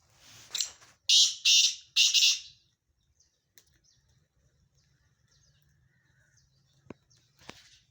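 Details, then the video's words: Black francolin (kala teetar), among mixed calls labelled Sindhi francolin: a loud, harsh, grating burst of three rasping notes in quick succession early on, then near silence with a faint click and one softer rasp at the end. "کالا تیتر کی آواز سندھی تیتر کی مکس آوازیں"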